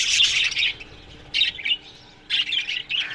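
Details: Morning chirping of budgerigars in an aviary: three bursts of high, scratchy warbled chatter, each under a second, separated by quiet gaps.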